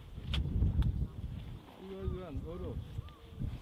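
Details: Red-crowned cranes at their roost, a few hoarse, wavering bugled calls rising and falling, preceded by low rumbling wind and handling noise, with a couple of fainter calls afterward.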